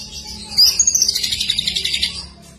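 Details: Greater green leafbird singing constantly with kapas tembak and lovebird imitations; a high, thin whistled trill of rapid notes rising and fading over about two seconds.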